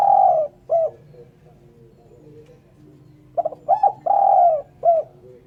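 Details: Clean spotted dove call used for luring birds: a long coo and short coo, then a full phrase of quick stuttering coos, a sustained mellow note and a final short coo.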